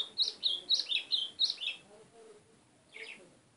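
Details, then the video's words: Fast burst of six crisp, high, down-slurred chirps from a white-throated seedeater within under two seconds, then a lone quieter note after a short gap. "GOLINHA CHAMANDO MUITO AZULÃO!!"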